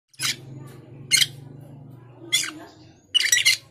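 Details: Male cucak keling calling a rival: four loud, harsh, broadband bursts spaced roughly a second apart, with a steady low hum running underneath.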